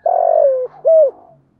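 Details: Fragment of a spotted dove's Thổ-voice coo, used to lure wild doves: a long vibrating note sliding lower, then a clear arched closing note, with a faint low hum underneath.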